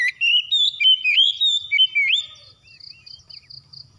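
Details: Oriental magpie-robin, or kacer, sings in a recording meant to coax a bird that has stopped singing. Rapid rising and falling whistles last about two seconds, then fade into soft, regularly repeated high ticking pulses.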